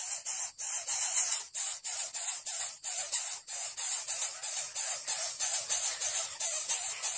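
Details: Rhythmic bursts of hissing spray repeat about three times a second over faint music, with no animal voice.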